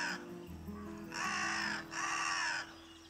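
A carrion crow gives two harsh, raspy caws, each drawn out for most of a second, over soft background music.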